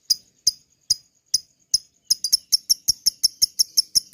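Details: Lovebird ngekek, used to prompt caged lovebirds into song. Sharp, high clicks start widely spaced, roughly two per second, then speed up into a tighter, quicker series.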